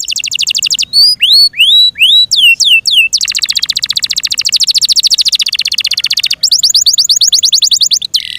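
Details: Song of a cared-for Yorkshire canary, loud and high: rapid trills alternate with phrases of sharp falling whistles, switching between tours several times, each trill dense and mechanical.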